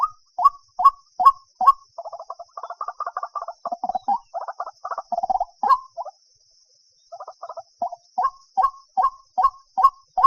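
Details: White-breasted waterhen alternating short rising calls with quick stuttering bursts of clustered notes, a silent pause midway, then the regular rising calls again.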